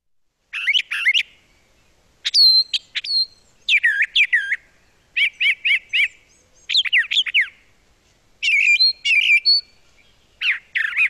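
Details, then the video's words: Brown Thrasher, a spring migrant in southern Quebec known for a large repertoire, sings varied bursts of rich, slurred and chirping phrases, each often doubled, separated by short pauses, with no other sounds. "And let's listen to the thrasher because he's got a whole bunch of different songs that he likes to sing."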